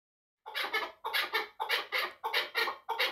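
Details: Chukar partridge calling in a fast series of harsh, broadband clucking notes, grouped in pairs and repeated steadily at about ninety-five per minute after a short silence.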